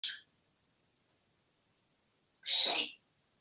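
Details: Pet African Grey parrot, a talkative male hatched 1997 living in a Texas home, playing at going after crows: a brief high squeak, then after two seconds a louder, harsh caw-like squawk about half a second long.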